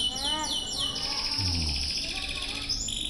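Canary song: quick, high, down-slurred notes that run into a long, bright, rolling trill. A faint low murmur sits beneath.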